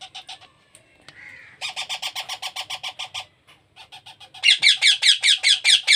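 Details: Hand-fed baby parrot gives a long, steady run of pulsed nasal notes about four per second. It switches to louder, harsher rasping squawks at the same rhythm.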